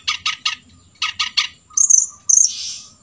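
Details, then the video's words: Long-tailed shrike that has learned sooty-headed bulbul song gives two quick runs of three harsh, chattering notes, then high thin whistles and a rasping burst, imitating the bulbul. "Cendet isian kutilang"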